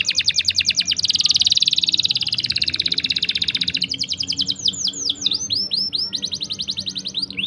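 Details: Long-rolled canary song, 'ngerol panjang', used to stimulate and train canaries: dense rapid high trills and a sustained buzzy passage, shifting to rhythmic looping whistled slurs near the end.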